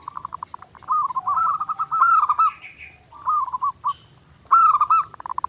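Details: Zebra dove song from a clean perkutut master track meant for daily practice: quick staccato pulses leading into long rolling trilled coos, then a shorter phrase and a bright pulsed ending.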